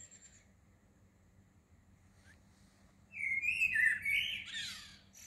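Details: Early-morning song of a small bird at Shah Jahan Mosque, Woking, 15 June 2020: quiet start with a faint high note, then a two-second burst of rapid twittering and chirps, with low background hum.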